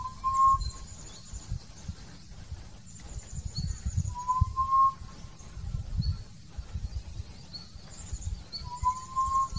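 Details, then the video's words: Hill partridge calling and singing: a mournful, slightly rising single whistle about every four seconds, with faint high twittering from other birds and a steady low rumble behind. "Hill partridge (Arborophila torqueola) call and song"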